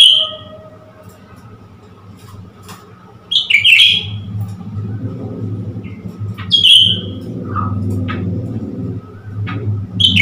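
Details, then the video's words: Newly acquired caged blue-winged leafbird, provoked with a mirror to display, recorded 10 February 2021: short bright bursts of chattering, whistled notes at intervals, over a steady low engine-like hum. "นกเขียวก้านตองปีกฟ้า นกใหม่พึ่งได้มา หลอกให้เล่นกับกระจก burung Cucak hijau"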